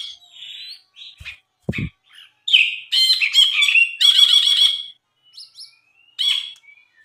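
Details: Tutor recording of a Brinji (bulbul) singing actively: soft whistles and a few clicks, then loud harsh chattering bursts with whistled slurs, closing with thin rising whistles.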